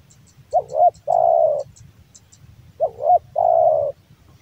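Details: Hobby-kept male spotted dove from Java cooing: two phrases, each a short wavering double coo leading into a drawn-out, gently descending coo, with soft clicking in the background.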